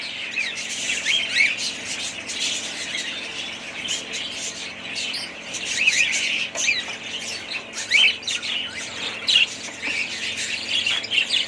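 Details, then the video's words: A budgerigar flock twitters continuously, with scattered sharper chirps and brief warbled phrases rising out of the busy background chatter. "budgies parrots"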